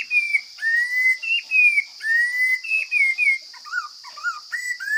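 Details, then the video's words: Wild forest Chinese hwamei in full, strong song: loud, clear whistled phrases, some level and some rising or falling, alternate with lower looping notes near the end. A constant high buzz hums in the background. "Coob hav zoov quaj tau zoo kawg!"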